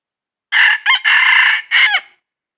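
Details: Red junglefowl crow during wild junglefowl trapping, 22 December 2021: a loud, clean four-part crow, a short opening note, a brief broken syllable, a long sustained middle phrase and a falling final note, with silence before and after.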